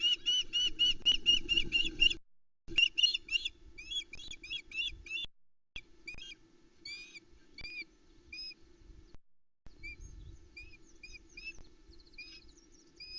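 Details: Osprey chicks on a nest at Loch Arkaig on a very misty early morning, 28 June 2020, squeak excitedly as feeding begins on a half trout brought by the male. The thin, high squeaks come in rapid runs of several per second over a low steady hum.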